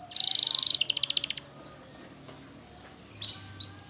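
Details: Canary lure song meant to teach young canaries to sing and to coax silent ones: a brief burst of fast high buzzy trills and rapid descending notes, then near-quiet with a few faint high chirps.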